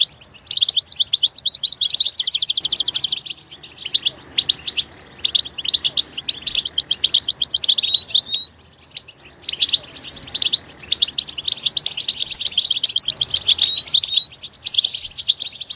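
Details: Goldfinch in its natural environment singing two long, busy phrases of tinkling twitters and buzzy trills, separated by a brief pause, with little background noise.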